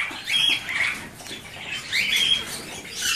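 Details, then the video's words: Young Alexandrine parakeets giving two drawn-out raspy, hissing squawks about two seconds apart, each with a faint thin whistle on top, recorded close indoors. "Pui Marele Alexandru"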